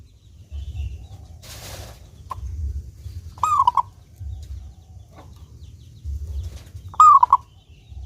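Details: Local zebra dove from Indonesia, clear-voiced and singing readily as a lure for other doves, coos two phrases about three and a half seconds apart, each a held note with short clipped coos, amid low rumbling and a brief rustle.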